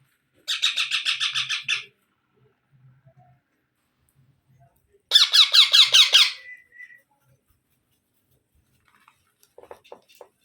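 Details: Young parrot calls: two bursts of fast, grating, rasping squawks, each lasting over a second, with long silences and faint soft squeaks afterward.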